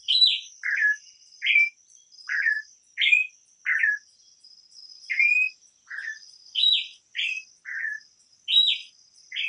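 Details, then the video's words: Imported campo troupial singing a long run of loud, rich whistled notes, alternating rising and falling slurs at irregular intervals of under a second, against a constant thin high insect-like drone. "suara burung import campo troupial"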